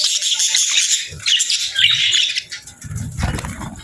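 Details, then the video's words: Parakeets feeding on a winter morning chatter in scratchy chirps that fade out, followed by low fluttering and rustling sounds. "Warm Meals for Parakeets 🦜🍽️ | Winter Morning Fun and Chirping Sounds"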